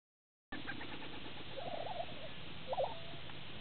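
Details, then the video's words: Lesser prairie-chickens displaying on a lek near Woodward, Oklahoma, on 18 April 2009, recorded from a blind: two wavering, bubbling mid-pitched display calls, the first about a second long, the second shorter, over steady low wind rumble. "Lesser Prairie Chickens display"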